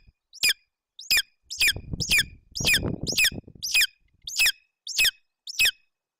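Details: Hungry golden eagle eaglet begging at a nest in Bucovina, Romania, June 2021, as its mother feeds it a roe deer fawn. Piercing high squeals repeat about every half second, with rustling and tearing sounds in between.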